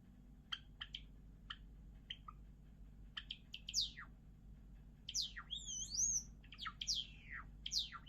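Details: Java sparrow song: dry clicking notes build into a run of high, slurred whistles that sweep up and down, ending with warbled, looping notes, over a steady low background hum.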